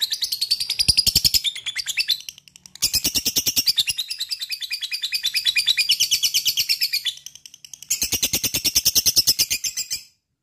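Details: Long ngekek chatter of a lovebird, played to coax other lovebirds to sing: high, fast-pulsed rattling trills in three long runs separated by brief silences, ending abruptly.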